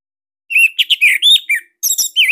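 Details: Caged orange-headed thrush (Anis Merah Bali) song, a master recording meant to provoke quiet birds into singing; a long tumbling string of whistled, twisting notes, a short pause, then more rich varied phrases.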